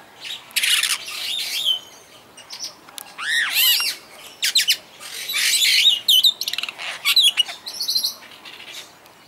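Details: Superb starling (Lamprotornis superbus) singing at a bird park in Walsrode, Germany: a long, varied jumble of harsh chatter, rising and falling whistles and rapid trills, packed together with few pauses.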